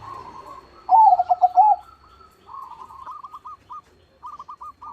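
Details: Crossbred zebra dove with a large voice: one loud, quick, stuttering coo phrase, then a series of soft, evenly spaced short notes that pause and resume, over steady background cooing.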